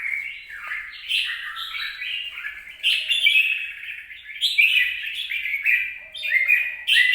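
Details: Red-whiskered bulbul recorded 26 April 2022, pouring out repeated bursts of varied chattering and warbled notes, each burst starting loud and tailing off, roughly every one and a half seconds.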